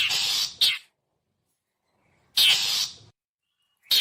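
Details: Long-tailed shrike call used as a lure for wild birds: long grating, scratchy bursts, each followed by a short sharp note, with a silent gap of about a second and a half between them.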